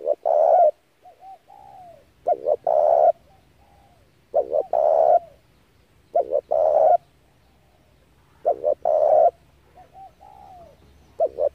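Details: Spotted dove giving lure calls for trapping doves: repeated phrases of soft notes, a quick double note and a long rough coo, about every two seconds, with a steady low hum beneath.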